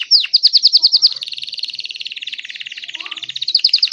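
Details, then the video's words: A Belgian canary (timbrado type) sings loudly: bright, clear notes fall into a fast rolling trill of rapid repeated syllables, then pick up again at a high pitch. "Canário belga timbrado cantando estourado/Belgian canary with a timbrel singing loudly."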